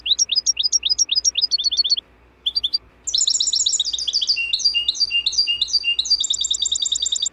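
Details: European goldfinch song for training captive birds: a fast, liquid jumble of high twittering notes and tinkling trills, broken by a brief pause, with a faint low hum beneath.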